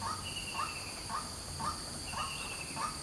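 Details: White-breasted waterhen calling in the morning, a noisy run of short harsh notes repeated about twice a second, over steady high-pitched insect drone.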